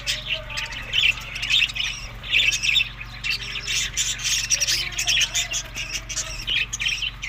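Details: Budgie parrots feeding on summer food, May to June, Larkana, Sindh: continuous busy squawky chattering with overlapping harsh chirps and warbles, a few soft whistles beneath, and a faint low hum throughout.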